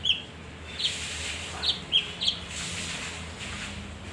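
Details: Male leafbird (kinoi) used to lure other birds: a handful of quick high whistled notes, spaced unevenly in the first two seconds, then a hushed stretch with only faint background noise.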